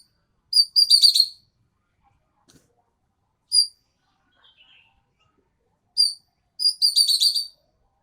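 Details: Green magpie from Sumatra singing actively: short bursts of high, bright chirps and harmonic twitters in quick clusters, separated by silent pauses, with an isolated sharp note between bursts; no other sounds.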